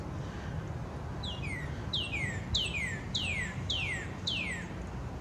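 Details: A male Northern Cardinal sitting high in the sun and singing in a backyard in late April to early May 2021: six loud, clear whistles, each sliding steeply down, spaced about every half second, over a steady low rumble.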